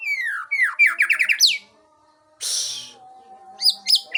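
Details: White-rumped shama from Aceh, a kept songbird; descending whistled slurs followed by a quick series of rising notes, a burst of harsh noise, then more high whistles over a low steady hum.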